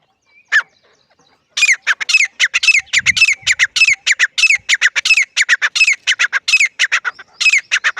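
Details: Grey francolin calling loudly: a brief note, a pause, then a long run of harsh, squawky notes repeated rapidly about three to four times a second, with a low thump near the start of the series.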